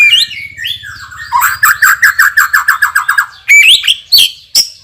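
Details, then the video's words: Champion white-rumped shama with loud, powerful voice and very rich fill-in song: sliding whistles, then a fast run of about a dozen evenly spaced chopped notes, ending with sharp upslurred whistles. "MURAI BATU juara isian super PEDAS_suara lantang dan keras"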